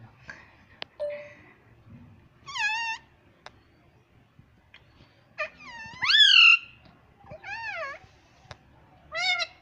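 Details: Pet rose-ringed parakeet kept indoors, talking: separate harsh, nasal utterances with bending pitch, the loudest one near the middle, between short gaps and faint clicks in a small room.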